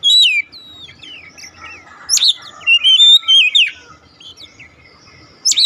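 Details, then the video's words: Oriental magpie-robin singing, a recording meant to prompt a silent bird to start singing: sharp whistled notes, a rising and falling warbled phrase, then short bright whistles separated by quiet pauses. "memancing ncept Kacer macet bunyi langsung gacor"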